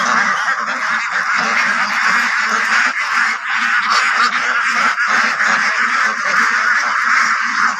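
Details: Flock of white Pekin ducks on a West Bengal farm near Kolkata giving a constant wall of rough, nasal quacks, steady in loudness throughout.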